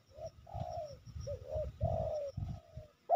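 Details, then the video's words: A wild spotted dove, noted as a tireless cooer with a full voice, heard near two decoys at Sibolangit: drawn-out gliding coos, some slurred downward, over a steady low rumbling background. "Tekukur ini Menguku Tanpa Henti"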